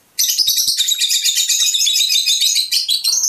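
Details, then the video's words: An unbroken three-second stream of piercing, rapid, scratchy chatter from a Fischer's lovebird, song offered to encourage breeding. "أجمل تغريد لطيور الفيشر"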